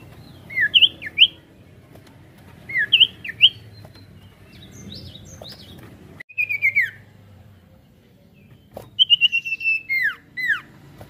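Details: Ashy tailorbird (sirtu) with a varied song played to spur other birds into singing. Paired whistled phrases with quick rising-falling notes repeat, followed by rapid chattering runs of sharp descending chirps.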